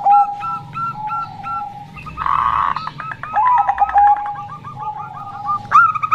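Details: Local female zebra dove calling to draw males: a few spaced fluty notes, a rough noisy burst, then a soft rapid rattle of tiny notes and a closing rising note.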